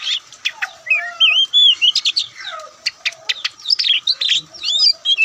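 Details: Kacer dada putih, the Oriental magpie-robin, singing an energetic mix of sharp clicking chips and wavy looping whistles in quick succession with almost no pauses.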